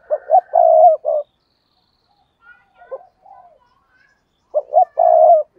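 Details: Decoy spotted dove calling from a tree to excite wild doves into cooing; two mellow phrases of short notes leading into a sustained croon, separated by a few seconds of faint chirps and rustles.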